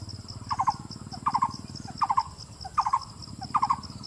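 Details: A Blue-throated barbet (Psilopogon asiaticus) calling in Darjeeling, West Bengal, India. It repeats a quick, mellow three-note phrase about every three-quarters of a second over a steady insect hiss and low rumble.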